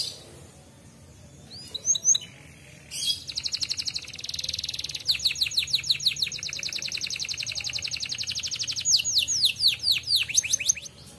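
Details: Canary in griwik style, used as a lure to make canaries sing quickly and often. After a few scattered chirps, a long buzzy high trill runs into fast repeated down-slurred notes that continue steadily for about eight seconds.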